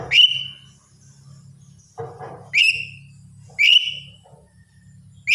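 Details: Lesser green leafbird singing in the morning routine. Three loud whistled notes, each rising sharply then sustained and fading, about one per second, with a low steady hum and a brief scratchy noise.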